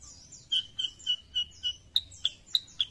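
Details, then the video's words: Sooty-headed bulbul (kutilang sutra), Indonesia: a short burst of about nine clipped, whistled chirps, evenly spaced, the later ones higher and more piercing. "KICAUAN BURUNG KUTILANG SUTRA"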